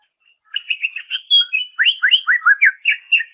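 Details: Greater green leafbird song used as a master recording for training songbirds: a fast run of loud whistled notes and slurred swoops, mostly rising and falling phrases, with a few very high thin notes over a silent background.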